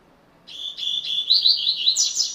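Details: Coleiro (rusty-collared seedeater) from Brazil giving its classic song, a continuous run of rapid, sweet, high-pitched whistled notes that rise and intensify toward the end of the phrase.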